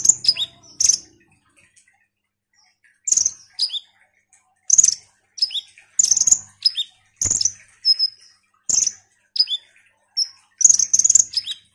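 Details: Ruby-cheeked sunbird delivering loud, high, sharp notes and short downslurred whistles in spaced clusters, after a quiet pause near the start.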